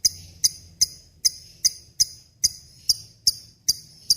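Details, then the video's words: Lovebird calling as tutor material for other cage birds: crisp, very high single chirps repeated about twice a second in a loose rhythm, with a soft low hum underneath. "SUARA BURUNG LOVEBRID GACOR NGEKEK PANJANG"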